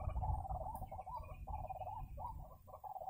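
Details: Ruak-ruak (white-breasted waterhen) at a bird-trapping spot giving a continuous wavering, gurgling mid-pitched call broken into a few long phrases, with low rumble underneath.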